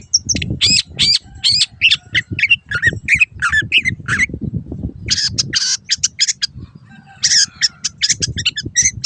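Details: Long-tailed shrike master recording used to train caged birds: loud harsh chattering notes in rapid bursts, some squawky and some buzzy, with low rumbling background noise throughout.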